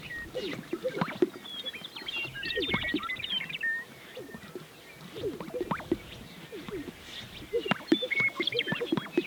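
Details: Several male Greater sage-grouse (Centrocercus urophasianus) display on a lek in central Montana in the morning, inflating yellow chest air sacs; the clip has repeated hollow plopping pops and swishing rustles every second or two, thin higher whistled notes, and faint music underneath.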